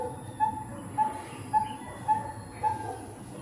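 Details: One of two coppersmith barbets recorded in 2020 gives a steady series of hollow, low tonk notes, about two each second, over a thin high-pitched hiss; Coppersmith barbet.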